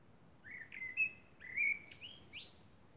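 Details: Common blackbird singing at night under the moon: fluted, mellow whistled phrases around the low-middle pitch, rising and wavering, ending in a higher squeaky twitter; quiet background.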